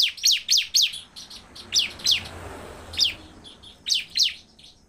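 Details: Bar-winged prinia in full, fast song meant to provoke other prinias: sharp high falling notes in short clusters, spaced by pauses, over a soft low background hum.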